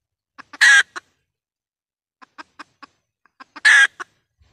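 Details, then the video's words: Lure call of a red junglefowl hen for trapping wild birds: soft clucks leading into a loud, harsh squawk, a pause with more clucks, then a second squawk. "tiếng gà mái mồi kêu"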